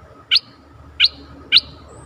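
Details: Caged decoy bulbul, a song-contest style bird, calling to lure a very old wild bird: three short bright chirped notes spaced about 0.6 seconds apart, with a faint steady hum underneath.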